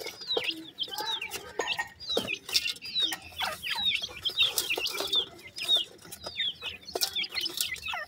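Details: Captive black francolin (kala teetar) chicks, male and female, calling together: many high, thin chirps and short down-slurred peeps overlapping, with scattered clicks and rustling.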